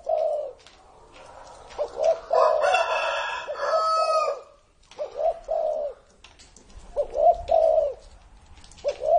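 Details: Aged spotted dove, over 30 years old, giving short mellow coo phrases at the start and end while a rooster crows loudly in the middle.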